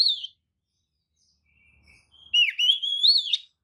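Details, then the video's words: Lure song of an Oriental magpie-robin intended to agitate rival magpie-robins: a short high whistle, a quiet pause with soft low sounds, then a loud, smoothly rising and falling whistled phrase with buzzy overtones. "kacer manapun jelas nyaut oleh kicau pancingan kacer buka ekor! kacer dijamin emosi"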